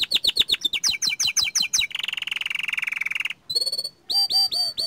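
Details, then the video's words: Young small-standard canary singing hard: a run of quick falling chips, a sustained buzzy rattle, then brief pauses broken by clear whistled notes and short curled phrases. "Kicauan Burung Kenari Muda Gacor"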